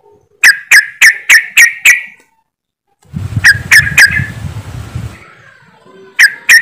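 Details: Several yellow-vented bulbuls in a rapid chattering 'ropelan' style, used as a lure to get caged birds singing: a run of six sharp chirps, a pause, then chirps over a low rumble, and two final notes.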